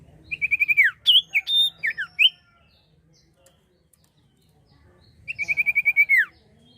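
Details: Common iora song used to lure birds: a rapid falling trill, varied loud slurred whistles, then after a three-second pause the quick descending trill again.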